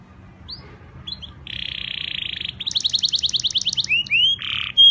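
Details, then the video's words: A timbrado canary sings a fast, varied training song: a sustained buzzy roll, then rapid repeated chips, upslurred whistles and a final trilled roll, with a faint low hum behind. "canary bird sound most beautiful singing"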